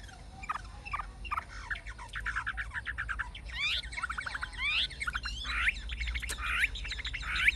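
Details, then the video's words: Song of an old wild-caught Chinese hwamei in the forest voice style, fig-leaf tailed. Soft, clicking notes build into louder sweeping, slurred whistles over a steady low background hum. "Họa mi già rừng chuẩn giọng rừng hay"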